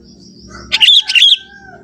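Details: Young Sooty-headed bulbul from the forest gives a single bright, gurgling phrase of several fast notes over soft background hum.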